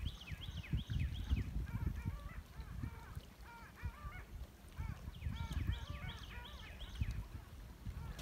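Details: A flock of long-tailed ducks on the Niagara River at Stella Niagara Nature Preserve, New York, in March 2020 gives overlapping musical, yodeling calls before the spring migration north, over a low rumble of wind and water.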